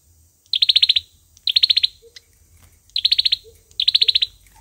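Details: Four fast, high-pitched trilled bursts of an olive-backed sunbird's fighting song, a lure for trapping, each a rapid string of sharp ticks, with a couple of faint low chirps in between.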